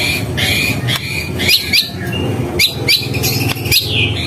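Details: White-rumped shama singing short, bright whistled notes that sweep up and down. They come in small bursts at irregular intervals over a steady, loud, low rumbling background noise.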